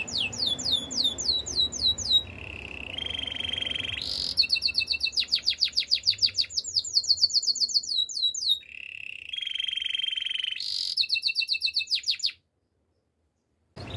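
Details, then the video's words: Canary song alternating quick descending whistles with buzzy rolled trills at two pitches, several changes of tour within fourteen seconds, then a sudden stop into silence near the end. "Beautiful voice of canary bird | The best canary sounds"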